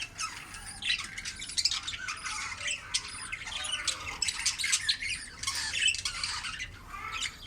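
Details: Budgerigar chicks being fed by their mother, giving dense, harsh, raspy squawking calls in rapid overlapping bursts, continuous for the whole stretch with brief pulses of louder chatter.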